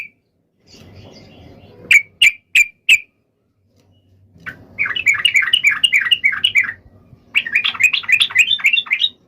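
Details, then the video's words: Yellow-vented bulbul fighting song meant to make other bulbuls reply at once: four sharp separated notes, a pause, then two quick chattering bubbly runs, with faint low rustling beneath. "trucukan gacor SUARA TARUNG INI menjadikan burung trucuk gacor NYAUT SEKETIKA"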